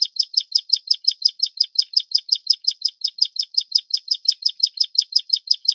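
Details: Plain prinia of the Taiwan endemic subspecies Prinia inornata flavirostris, a bird of riverbeds, grassland and farmland: rapid, evenly repeated high buzzy notes, about three per second, sustained throughout with no other sounds.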